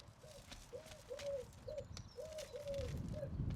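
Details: Eurasian Collared Doves sitting on a fence, with black marks on the back of their necks, give soft, hollow coos in short and drawn-out notes, several within a few seconds, over a low rumble of wind or distant traffic.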